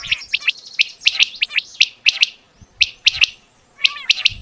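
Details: Quail call for hunting: repeated sharp, high chip-like notes in tight triplets, roughly one phrase per second, slightly echoing, with low background thuds.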